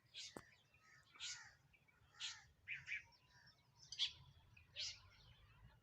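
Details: Feeding sparrows give spaced, thin, scratchy chirps about once a second at moderate distance, with a faint click near the start.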